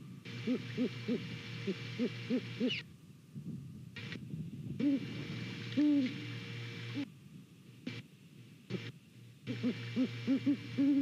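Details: A pair of Great Horned Owls hoot back and forth at a nest in Savannah on a November 2019 morning, picked up by a nest camera. Low, soft hoots come in quick rhythmic runs, separated by abrupt gaps where the sound drops out.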